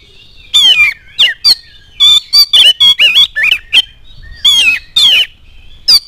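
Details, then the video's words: Oriental magpie-robin lure song to provoke singing: sharp whistled slurs and scratchy chattering notes in several groups, the last rising note standing alone. "KACER ANDA LANGSUNG NYAUT NGOBRA IKUT GACOR DENGAN PANCINGAN KACER GACOR INI"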